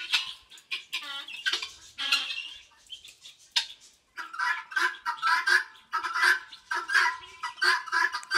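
Guineafowl give harsh, grating squawks in quick, uneven bursts, several birds calling over one another.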